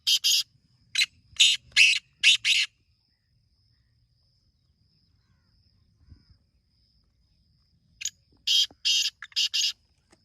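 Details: Black francolin calling on a morning in a village area: two harsh, grating phrases of five rasping notes each, the first at the start and the second after about five seconds of quiet.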